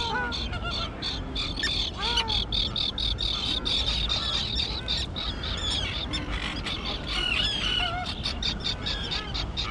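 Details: Chorus from a tern colony on a small island thick with tall grass, where the young birds now fly: continuous harsh, scratchy calls from many birds, with short, falling, squeaky notes mixed in.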